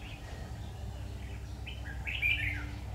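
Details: Red-whiskered bulbul recorded while being trapped on 7 August 2019, giving one rich, rolling warbled phrase near the end after quiet, faint notes, against a constant low rumble.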